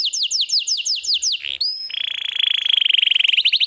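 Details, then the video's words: Lively canary song for tutoring young canaries and prompting silent ones: quick falling whistled notes repeated several times a second, a short rising slur, then a long steady rolling trill that speeds into sharp pulses. "suara burung Kenari Gacor Masteran Burung Kenari Paud & Pancingan Kenari Macet Bunyi"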